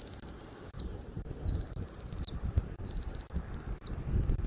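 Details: Bald eagle at a nest in Southwest Florida, filmed by a nest camera on 13 January 2024 at 14:17. Three drawn-out, thin whistles, each steady then dipping at the end, repeat about every one and a half seconds over a low, rumbling wind.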